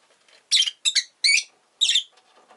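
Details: Rosy-faced lovebird, a pet bird, uttering four loud, shrill, scratchy chirps in quick succession, each short and rasping, spaced about half a second apart.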